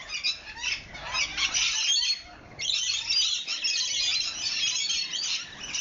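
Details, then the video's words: Excited lorikeets at the Edinburgh Zoo enclosure making a lot of noise while being fed: a dense, continuous chatter of shrill screeches and squawks from many birds, with a short lull in the middle. "But as you can hear, our excited little lorikeets do make quite a noise."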